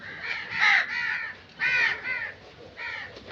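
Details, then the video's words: Three harsh, drawn-out crow caws, each a grating nasal 'kaaah', some doubled, separated by short pauses. "Crow Sound Effects"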